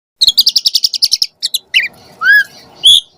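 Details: Asian pied starling calls used as a lure for starlings: a fast run of about ten short buzzy chirps, then varied notes, a falling whistle and a rising slurred whistle.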